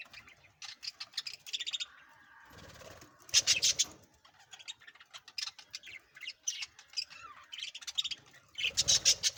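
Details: Hagoromo (feather-variety) budgerigars chattering in quick, high, scratchy chirps and warbles, with bursts of louder squeaky notes.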